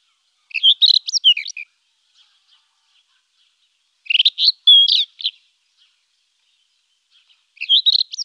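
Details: Rufous-tailed scrub robin singing: three short, varied phrases of clear whistled and warbled notes, rising and falling, delivered about every three and a half seconds with silent pauses between; no other sounds.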